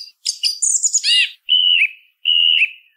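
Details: Song thrush phrase: a quick burst of high, scratchy twittering, then a drawn-out whistled note ending in a downward slur, repeated once.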